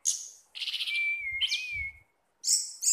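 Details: A relaxed captive orange-headed thrush sings bright, varied phrases: rich chirps, a long thin steady whistle, then a quick burst of high notes.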